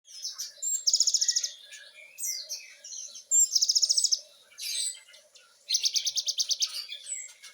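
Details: Great tit (gelatik batu) singing in the lively gacor style with 'nembak' fill-ins: high, rapid machine-gun trill bursts alternating with short scratchy chattering notes, three loud rattling bursts across the stretch, no other sounds.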